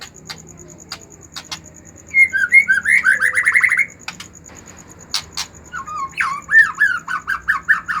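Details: Agitated white-rumped shama, used to stimulate reluctant shamas to sing, gives two bursts of quick rising trilled notes separated by a pause with sharp clicks; the second phrase is more jerky and uneven.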